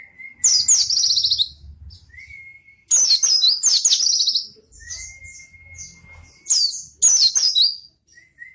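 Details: A white-eye sings briskly, used as lure and training master for lazy singers: several loud bursts of rapid, shrill, rattling twitters, each set apart by a flat, prolonged thin whistle, faint low rumble behind.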